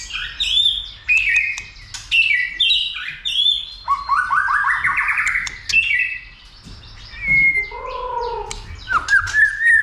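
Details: White-rumped shama roused for fighting and singing: bright whistled phrases at changing pitches, a long buzzy rising slur, a pair of lower mellow notes, then sharp high calls in quick succession.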